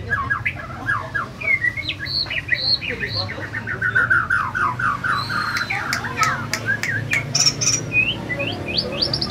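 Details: Tame captive-bred white-rumped shama from Banyumas, Central Java, in full song after two moults: fast varied chirps and whistled notes in quick bursts, with sharp clicks and a higher phrase near the end.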